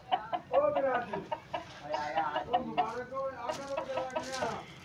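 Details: Aseel rooster crowing: a long, harmonic-rich call with wavering tones, repeated in drawn-out phrases over about five seconds, with faint speech-like murmur and clucking in the background.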